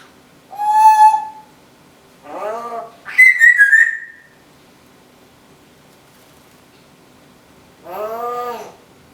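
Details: A pet female Timneh African grey parrot, a talker and singer that mimics household sounds; a clear whistled note, a speech-like phrase, a higher warbling whistle, then after a pause another harmonic voice-like utterance.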